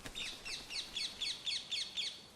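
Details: Rose-ringed parakeets, a feral colony of escaped birds, in the tree canopy of Père Lachaise cemetery, Paris, giving a rapid series of about eight harsh, high screeching calls, roughly four per second, with faint background hiss.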